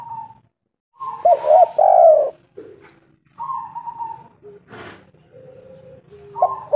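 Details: Local spotted dove calling as a lure for other doves: a rolling coo burst, then softer level coos and short low notes, with a brief harsh scratching noise partway through and another coo starting at the end.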